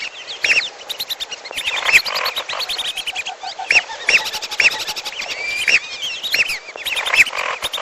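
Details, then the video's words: Lesser whistling ducks mixed with another bird locally called piolo, as a trapping lure: a dense chorus of many short, high whistled notes, often paired or sliding, overlapping throughout with scattered sharp clicks. "Pikat Burung belibis merah dan piolo campur"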